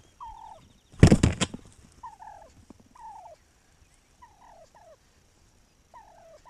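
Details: Wild turkey recorded May 7, 2021, giving one explosive rattling gobble near the first second, followed by a string of brief falling notes spaced about a second apart over a quiet background.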